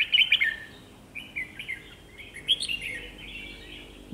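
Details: Red-whiskered bulbul singing as a decoy to lure wild birds for trapping; a loud burst of quick notes opens, followed by softer, drawn-out warbled whistles and another bright phrase, then a thump.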